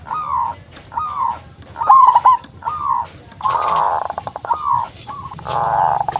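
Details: Local zebra dove used as a lure to make other zebra doves respond. It gives evenly spaced falling coos and one stuttered rolling phrase. A brief burst of broad rustling noise cuts in partway through.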